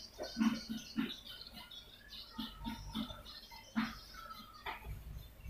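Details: Swiftlet lure call for attracting swiftlets: dense, scratchy high chirps in rapid clusters over soft low clicks repeating about twice a second, in an enclosed-sounding space.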